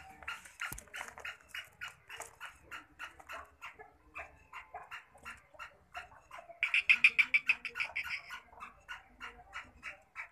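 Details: A pet black francolin (black partridge) gives a long run of harsh, grating notes, about three a second, swelling louder and rougher midway before easing off.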